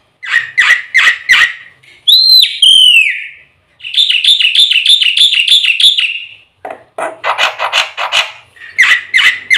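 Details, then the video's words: Black-winged myna (white starling) song with full filler phrases, used as a training lure to get birds singing: repeated whistles, a long rising-then-falling slurred note, a rapid even chirping run, then harsh broad bursts. "suara burung jalak putih full isian RAJANYA PANCINGAN - MASTERAN bikin gacor"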